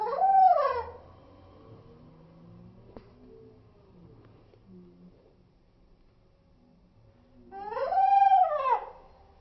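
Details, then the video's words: Slowed-down cockatiel calling: a brief arching harmonic call opens, followed by several seconds of quiet room murmur, then a second arched call rising and dropping again. "Cockatiel sound 👻👻in slow motion"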